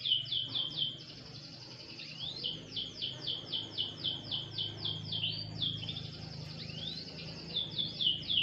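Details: A canary basking lightly in the sun sings a steady series of high, downward-slurred whistles, about three per second, with short twittering breaks.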